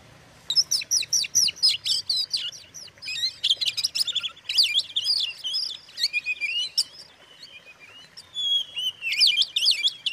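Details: Oriental magpie-robin song used as a lure to anger rival magpie-robins: quick runs of high chirps and whistles, then twisting warbled phrases and a few longer slurred whistles, delivered almost without break.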